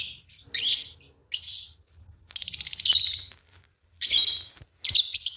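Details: Green Fischer's lovebird pair chirping and singing: loud rasping chirps, a short buzzy pulsed trill in the middle, then more shrill squeaky calls close together.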